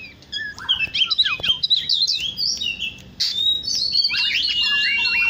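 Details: Morning song of an Oriental magpie-robin, natural recording: quick jumbled chirps and slurred whistles, a short pause, then a louder burst of sweet whistled notes and swooping phrases.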